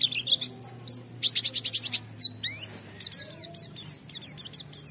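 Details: Oriental white-eye in full 'gacor' singing, played as a lure to make other white-eyes sing in the 'ngalas' style: rapid, high, clear twittering with quick sliding whistles and dense bursts of chirps, near-continuous throughout.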